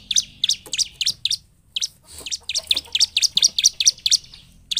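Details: 'Gacor' bar-winged prinia singing to stimulate silent prinias: bursts of rapid, piercing high chirps, a pause near the start, then a dense, accelerating sequence of bright notes.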